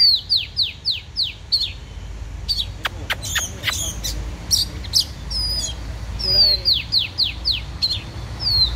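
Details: Oriental magpie-robin, praised as a legendary fighter, opens with five rapid, high downslurred whistles, then sharp clicks and mixed warbles, and ends with another series of falling whistled notes.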